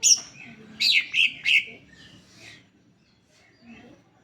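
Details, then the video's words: Greater green leafbird singing as a lure to set other leafbirds off: a quick run of three loud, high, slurred whistles after an opening chirp, trailing into softer fading notes. "Pancingan cucak hijau agar bunyi"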